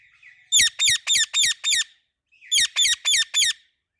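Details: An Indian ringneck or an Alexandrine parakeet makes happy evening sounds: harsh, grating squawks in two bursts, five rapid notes then four, about three per second, with a faint rasp between.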